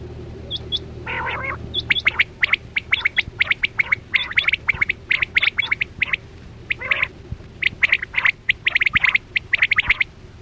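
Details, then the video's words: Chora quail (batera), recorded on a net-trapping hunt, gives sharp, high chirping notes in quick, uneven bursts of several per second, with a lower rasping note near the start. "Sound Of Chora Quail Batera"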